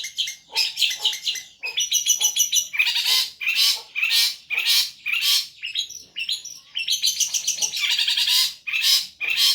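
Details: Long-tailed shrike in a gacor cendet masteran: rapid, harsh chattering trills alternating with loud raspy squawk-like notes, delivered almost continuously with short gaps.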